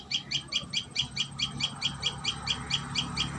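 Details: A common tailorbird at its nest utters quick, piercing chirps in a steady train, around a dozen notes in a few seconds, against a low hum.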